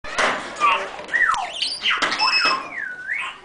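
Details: African grey parrots in a large aviary at a parrot sanctuary in Friskney, Lincolnshire: a mix of sliding whistles, rising and falling tones and chattering sounds, with several birds overlapping.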